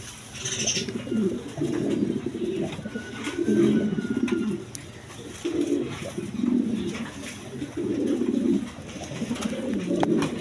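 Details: A lone Lahori cock pigeon that calls all the time gives low, throaty cooing in phrases about a second long, repeated every one to two seconds, over a steady background hum and occasional clicks.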